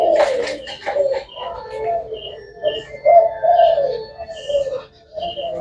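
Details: Caged Thai black spotted dove, noted for cooing all day, producing a series of low, rolling coo notes with a few faint higher sounds in the background.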